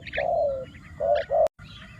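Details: Spotted dove decoy cooing to lure wild doves: low hollow coo notes, one drawn-out and two shorter, with soft higher chirps from other birds and a sharp click near the end.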